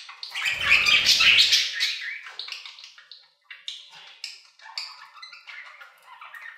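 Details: Budgerigars in an aviary: a loud burst of overlapping chatter at first, then softer clicks and quick twittering notes that go on steadily.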